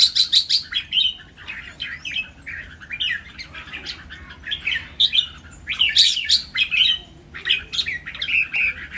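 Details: Three caged red-whiskered bulbuls sing against each other in a lively, dancing training song with counted phrases. Nearly continuous, dense, overlapping chirpy and whistled phrases come in bursts, with brief pauses between them.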